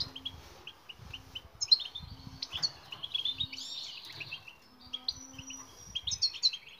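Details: European goldfinch singing in a training recording for silent birds: scattered short high chips, then a bright tumbling twitter in mid-passage, with a faint low hum underneath.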